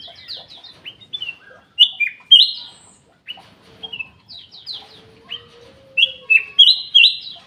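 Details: Black-capped bulbul in an aviary with loud whistled two- and three-note phrases, high then lower, several times, amid busy chirping from other birds and a faint low hum.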